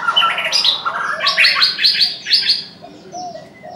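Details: Chinese francolin calling in the morning: loud, harsh, ragged notes building into three strong broad repeated notes about half a second apart, then fading. Softer chirps and low cooing from other birds sound in the background.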